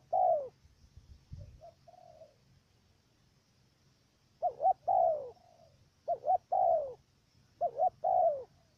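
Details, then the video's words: Cà Mau, Vietnam decoy dove luring wild doves to a trap, its coo stuttering at the start: quick doubled notes before a long downward coo, repeated three times in close succession after an opening coo and faint replies. "Bổi thổ gù cà lăm tiếng đầu"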